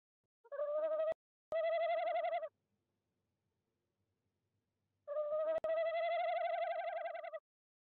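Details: Tawny owl visiting owl nest box 1 in De Mortel on 26 January 2021, calling at 19:33 CET: two long, quavering hoots, each about two seconds, separated by a short pause; a few sharp clicks.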